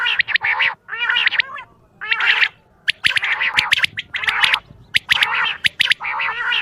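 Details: Quail calling in the morning at dawn: harsh, squawky, gargling bursts in quick irregular runs, broken by short gaps and sharp clicks.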